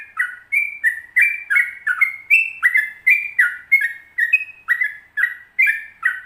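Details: Yellow-vented bulbul in a long rolling 'ropel panjang' song used as a training recording: a steady stream of bubbly, slurred whistled notes, mostly falling, about three a second, stepping between higher and lower pitches, with no other sound.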